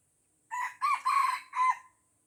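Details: An Aceh red junglefowl encircled by younger birds, unwilling to fight, crows once: a brief first note, then a bending second, a long harsh third and a short closing note, clear and loud against a silent background.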